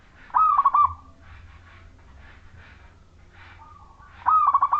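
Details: Energetically singing local Majapahit zebra dove, a lure for other zebra doves: two rolling pulsed coo phrases about four seconds apart, with low rustling and scraping noises in between.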